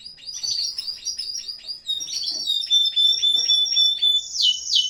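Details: Canary in an aviary at the height of breeding season sings rapid chirped notes, then a clear sustained whistle-like trill, finishing with a harsher buzzy burst.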